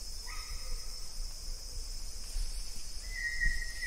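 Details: Banded Yellow Robin or Olive Yellow Robin (Gennaeodryas placens) giving thin, steady whistled notes, one near the start and a longer even note at the end, over a constant insect hum and low rumble.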